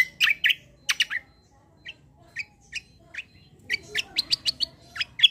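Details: Kecial kombo white-eye in full song for tutoring: scattered sharp chirps and short whistled notes, building into a fast run of high downslurred chips near the end.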